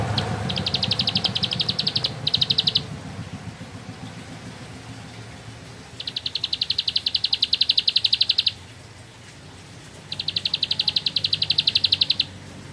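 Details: Ciblek sawah, the bar-winged prinia, delivering 'nembak ngebren' song: three bursts of rapid, evenly spaced high ticking notes, each lasting two to three seconds, separated by quiet gaps, with faint traffic rumble beneath.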